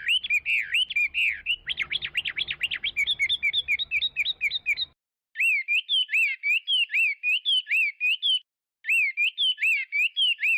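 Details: Chinese hwamei delivering a fast, tumbling string of whistled and trilled notes, then a brief silence, then bright repeated up-and-down whistled phrases in short bursts.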